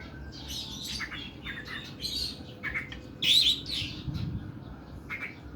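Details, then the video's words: Oriental magpie-robin with a long, harsh song: scratchy mid-to-high notes, a brief rising twitter in the middle and a short whistled tail, over a low hum. "KACER KUKU BIMA NEMBAK PANJANG & KASAR"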